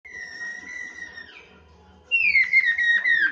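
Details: Chinese hwamei master song for training other birds. A long, steady clear whistle slowly falls, pauses, then a louder descending whistle returns with short flicked notes woven through it.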